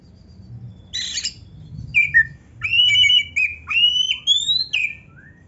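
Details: Oriental magpie-robin in varied song: a harsh scratchy note, then a series of clear whistled phrases that rise and fall, some sweeping sharply upward, with brief clicks between them over a soft low hum.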